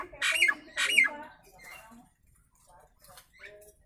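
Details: Nias hill myna giving its natural voice for bird training: two loud harsh squawks with strong overtones in the first second, followed by faint scattered short notes and quiet pauses.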